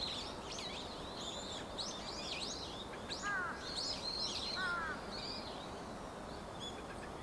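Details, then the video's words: A dusky thrush, a winter bird, filmed from behind on 23 November 2015, gives high, squeaky chirps in quick, uneven bursts, with two lower, harsher calls midway, over a steady background hiss. "ツグミ Dusky thrush の鳴き声"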